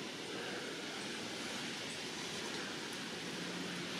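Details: Steady broadband rushing noise, like running water or passing traffic, fills the whole stretch with no animal calls standing out.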